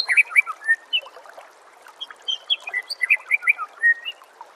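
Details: Animated white-rumped shama song used to train songbirds, a mix of bright chirps, whistled slurs and quick note clusters, pausing briefly before a second lively burst of varied notes.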